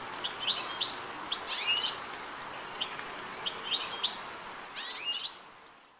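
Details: European goldfinch (Carduelis carduelis) calling in Rombergpark, Dortmund, on 1 August 2013, bright tinkling twitters and quick high chirps in bursts about every second, over a soft outdoor hiss.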